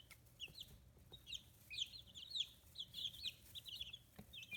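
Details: Fifteen-day-old chicks on a free-range farm in Hiroshima Prefecture, Japan, their feathers starting to grow; steady chorus of thin, high chirps, mostly downslurred, often in quick pairs and triplets, with a faint low background hum.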